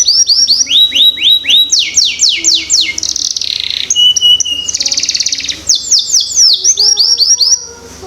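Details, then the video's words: Canary song used as a lure to prompt young canaries to start singing: fast series of downward-sweeping whistled notes, then buzzy rattling trills and a steady whistle, closing with more rapid sweeping notes. "Pancingan Kenari Paud Cepat Bunyi"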